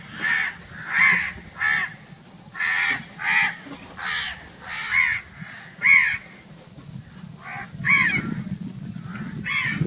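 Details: Crows cawing very loudly in a long series of short, rough caws about every half second to a second, easing off toward the end as low noise rises.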